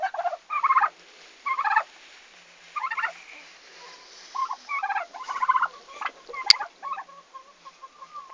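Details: Newly arrived farm turkeys, recorded on 11 August 2015, their arrival day, producing repeated rattling gobble bursts with short pauses, then softer whistled notes, and a sharp click near the end.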